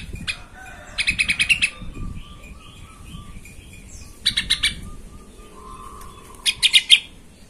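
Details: Lure song of an agitated yellow-vented bulbul, meant to provoke rivals into singing; short bursts of fast bubbly chatter spaced a few seconds apart, with softer warbling notes between them.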